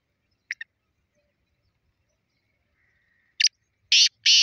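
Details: Black francolin calling on 30 March 2024: a couple of faint clicks, then a quiet pause, then loud rasping notes begin near the end, a short burst followed by two longer harsh grating phrases.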